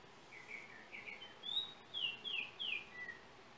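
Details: Yellow oriole from Trinidad, with a cell phone used in making the recording: a short phrase of fluting, slurred whistles, several descending notes followed by three bright rising-falling whistles and a final lower note, over faint background hiss.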